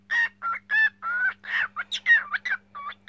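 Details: Cockatiel song of separate whistled syllables, some level and some swooping, alternating with harsher buzzy notes, each about a quarter-second long, over a low background hum.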